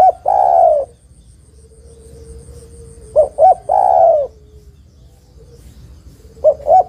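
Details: A spotted dove hen calls toward a male, used to lure birds. Long coo endings and a full phrase of two short notes plus a sustained coo, repeating about every three seconds.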